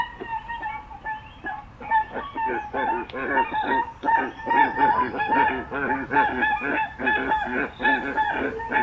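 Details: Crested guan, locally called pava cojolita: loud, harsh honking notes with strong harmonics, overlapping and repeated roughly once per second in an irregular series, with no other clear sounds.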